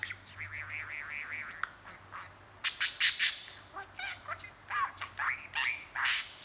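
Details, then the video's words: Talking, chattering pet budgie, handheld recording: opens with a wavering warble that rises and falls in even ripples, then a run of sharp, buzzy chirps and upward-sweeping squeaks. "Budgie talking & chattering"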